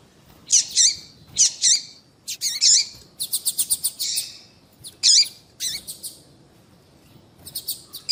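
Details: Female papa-capim (seedeater) call played to get males singing: paired high chirps, then a fast run of rapid ticking notes, followed by more scattered sharp chirps.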